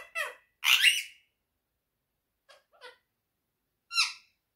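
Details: Pet quaker (monk) parakeet talking: a few short, harsh, speech-like bursts with rasping squawky tones, separated by quiet gaps, then a final brighter squawk.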